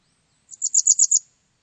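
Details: Japanese wagtail, 2020: a soft lead-in note followed by four or five bright, high chirps delivered quickly in one short phrase, in clean quiet surroundings.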